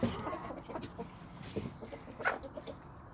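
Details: Chickens from a homestead flock of hens and roosters on a small suburban sandy-soil homestead in Toxandria. Short, throaty clucks are spaced through the clip, with one brighter, sharper squawk near the end.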